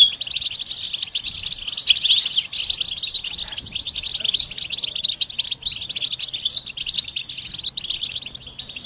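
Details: Goldfinch mating and readiness calls of bitbita and sitsita type, used to prompt a silent male to sing: softer, steady stream of rapid high twitters and chirps with one sharp slurred note.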